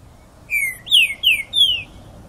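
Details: Green-winged saltator in full song: four rich whistled notes in a row, the first drawn out and falling, the next three shorter downslurs, against a quiet background.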